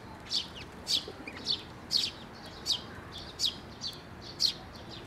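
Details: Sparrows and fledgling chicks coming to a bridge over water for food at a Tenmangu shrine, 11 May 2024; short bright chirps spaced roughly every half second, about nine in five seconds, against faint background noise.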